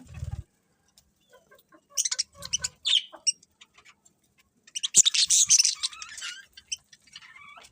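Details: Birds heard in the morning: quiet stretches broken by bursts of shrill, fast chirps and squeaks, the loudest a dense chattering run near the middle, with low thumps at the start.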